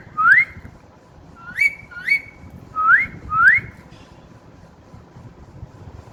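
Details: Whistles from a pet parrot that has just begun whistling: five bright upslurred notes in quick bursts, one alone then two paired sets, followed by quiet room noise.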